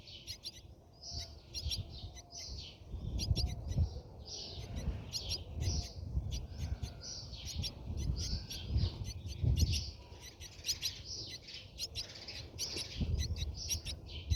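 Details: Brahminy starling at the nest, heard from inside: soft high chirps and wheezy notes come in loose groups every second or so, over a muffled low background.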